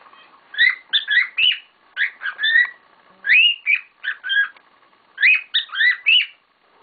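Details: Noisy group of pet cockatiels kicking up a storm, trading bright whistled chirps in three bursts of four to six rapid notes, each burst separated by about a second of quiet.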